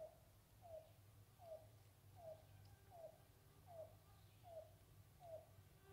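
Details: A yellow-billed cuckoo in Torbolton Forest, Constance Bay, northwest Ottawa, on 31 May 2023 around 6 pm, gives a slow series of hollow, low cow notes, about one every three-quarters of a second, over a steady low rumble.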